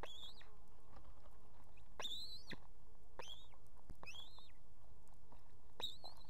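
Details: Nesting female osprey with two chicks, Estonia, 18 July 2016, calling for the male to bring fish: separate loud whistled yelps, rising then falling, spaced about a second apart, over constant low hum.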